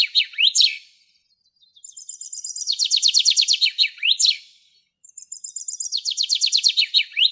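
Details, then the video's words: Common chaffinch (Fringilla coelebs) singing in the wild in Greece: high thin notes tumbling into a quick descending trill and ending in a sharp flourish, repeated about every two seconds. "ΣΠΙΝΟΣ ΚΕΛΑΗΔΗΜΑ - Common chaffinch Singing"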